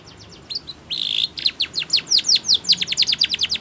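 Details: Spanish Timbrado canary song used for training: a rapid, bright series of high descending chips and a brief buzzy trill, several notes per second. Finding: Belgian canary.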